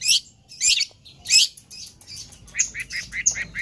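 Long-tailed Shrike singing in harsh, scratchy high bursts about every half second, then a quicker run of short chattering notes; otherwise quiet.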